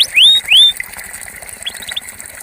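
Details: A purebred Belgian canary of the campainha song type gives two loud, bright whistles sweeping upward, half a second apart, then a run of soft, quick high chips.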